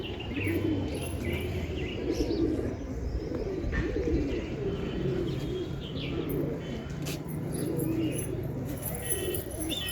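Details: A steady chorus of low pigeon coos, throaty and bubbling, rises and falls in waves, with faint chirps and occasional knocks behind it.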